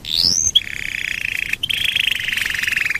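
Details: Lure song of a domestic canary to make other canaries sing: a rising whistled sweep followed by a long, even, rolling trill at mid pitch.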